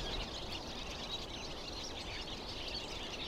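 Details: Large flock of about 50 to 70 wild barn swallows settled in a tree at Greifensee, Switzerland, after flying about overhead; dense, continuous twittering chatter from many birds, with a steady background rumble.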